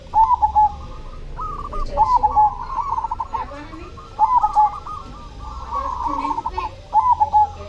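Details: Zebra dove of the cemani type, described as singing vigorously: mellow cooing phrases of quick stuttering notes rolling into a soft trill, repeated roughly every two seconds, with a faint low background rumble.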